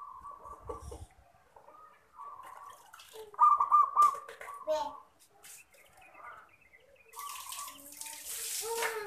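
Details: Zebra dove (perkutut) in manggung song, a master recording meant to lure birds; soft low coos run in short repeated phrases, with thin chirps from other birds and a burst of loud hissing noise near the end.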